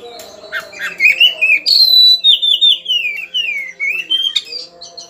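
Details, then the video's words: Oriental magpie-robin, agitated and challenging an opponent, starts after soft murmuring noise with a loud high whistle, then a falling, wavering series of rich pulsed notes and a short rising flourish; low hum underneath. "Kacer Emosi Cari Lawan.Suara Super Pedass."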